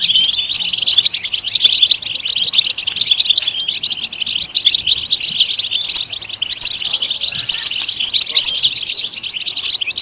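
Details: Ten seconds of unbroken European goldfinch song, a busy stream of sharp, liquid high twitters and trills that never pauses, over a quiet background.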